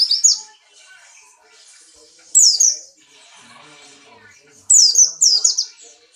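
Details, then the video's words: Buxtoni white-eye in strong breeding condition, hopping and singing: three bursts of high, shrill, downward-sweeping twitters spaced about two seconds apart, over a steady low background murmur and faint rustling. "burung pleci Buxtoni birahi kencang loncat indah nembak"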